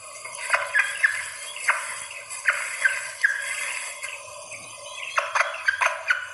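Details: Female red junglefowl in heat calling to males, used as a lure sound: short sharp call notes in loose bursts with brief high squeaky inflections, spaced irregularly over a faint hissy background.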